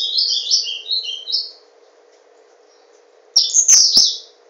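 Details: Capped seedeater, a kept bird in Garanhuns, Pernambuco, Brazil, with tornado-style song: a quick run of high warbled notes, a silence of nearly two seconds, then a burst of sharp high chirps; low hum throughout.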